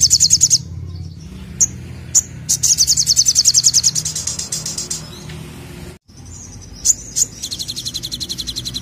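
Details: Olive-backed sunbird in gacor nembak mode: repeated high, buzzy rapid trills broken by sharp chips and thin whistles, with a brief gap before another sustained trill.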